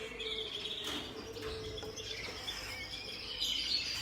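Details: Turquoise parrot (Neophema pulchella) chicks at a 2020 bird exhibition give a rapid stream of thin, high chirps and squeaky twitters, overlapping and irregular, over a low steady hum.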